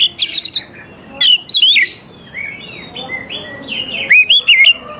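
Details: Oriental magpie-robin song aimed at provoking young wild magpie-robins to reply: harsh scratchy notes, then a wavering whistle, a quieter stretch of soft downslurred whistles, and a final rapid series of looping whistled notes.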